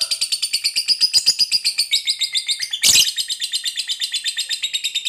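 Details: Fighter lovebird in long continuous ngekek chatter, a lure meant to stir quiet lovebirds into singing; fast, dense, buzzy pulses about four per second over five seconds, broken by one loud harsh burst past halfway.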